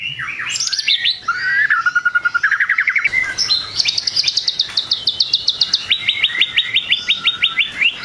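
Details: White-rumped shama singing to provoke rival shamas: varied whistles and sweeps, then long fast trills of repeated sharp notes, first around the middle pitch, later a higher rattling series and a lower rapid run of clipped notes.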